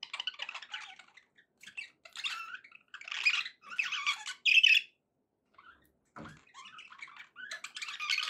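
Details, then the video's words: Budgerigar song from pet birds, rasping warbled phrases and a few sharper chirps, then a quiet stretch and a low thump before chatter resumes. "budgie sounds to encourage your parrot to eat and sing"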